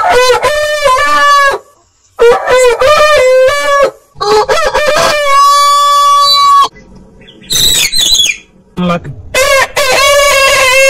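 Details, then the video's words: Roosters of many heritage breeds crow in a run of long, bright, harmonic calls, several crows lasting over a second, with brief gaps and a rougher burst near the end. "Rooster Crowing"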